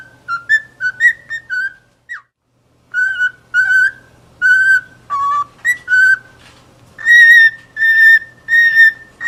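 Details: Whistled cockatiel song: a string of pure, slightly wavering notes with rich overtones. Some notes are short and choppy, others held about half a second, with a short silence partway through.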